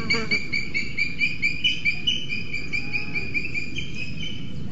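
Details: At a nest in a Scots pine in Spain's Sierra de Guadarrama National Park, a male booted eagle arrives with a lizard for the female incubating two eggs; both call, a fast series of shrill, thin notes, about two per second, over wind rumble.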